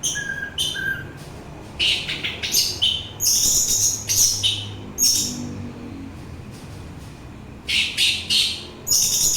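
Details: Orange-headed thrush singing, offered as relaxing listening and as a lure for thrushes and other birds: a long stream of varied high whistled and chattering phrases with few pauses, steady throughout.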